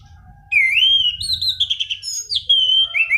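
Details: Black-throated laughingthrush singing a rolling song meant for luring and tutoring birds: after a brief pause, a long wavering whistle with warbled notes and a sharp drop, ending in two short slurred whistles.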